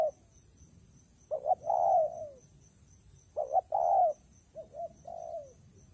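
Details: In rainy, windy weather a spotted dove gives its coo phrase twice: quick double notes, then a drawn-out, soft, downward-sliding coo. A shorter, quieter phrase follows. A faint, high, rhythmic ticking lies behind.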